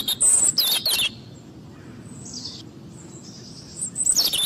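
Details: European robin singing high, thin, descending whistled notes and rapid twittering at the start and end, with a quieter gap between and low steady background noise.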